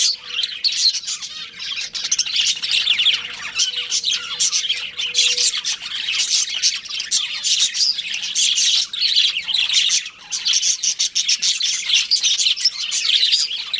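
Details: Budgerigars kept as home pets, described as a breeding pair, produce continuous high, scratchy chatter. Dense overlapping chirps and squawks come in rapid bursts, with a faint steady tone low in the background.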